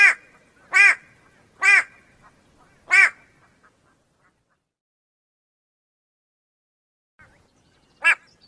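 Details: White-bellied go-away-bird: four loud nasal bleating calls in quick succession, then a long silence and a single final call.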